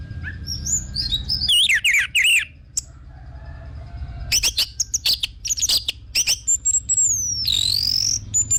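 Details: Orange-headed thrush, used as a song lure: swooping, warbled whistles, a pause, then a burst of clipped high chirps and a long thin whistle that slides down, then up.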